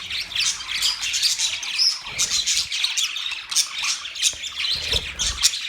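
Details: Budgerigars chirping: dense, continuous high warbling and chattering with rapid squawky notes and short bright squeaks, several birds calling at once with no pauses.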